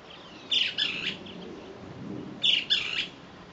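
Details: Great kiskadee (Pitangus sulphuratus), apparently male, calling to other kiskadees: two loud, harsh, bright phrases about two seconds apart, each a quick burst of two or three notes, over a faint low background hum.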